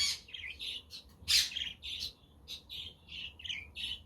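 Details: Lively budgie chatter with a quaker parrot and a conure in the background, recorded on a windy, sunny day: quick high chirps and warbled notes in close succession, broken by a loud rasping squawk.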